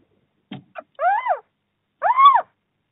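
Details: A little owl in Bommelerwaard, Netherlands, on 4 March 2024 at the first prey transfer of the new breeding season, gives two mewing, arched calls about a second apart, each rising then falling, after soft scratchy clicks.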